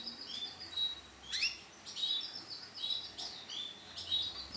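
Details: Bright orange female canary calling: clear high whistled notes broken by sharp upward-sweeping chirps, roughly one burst every second and a half, against a faint steady background hum.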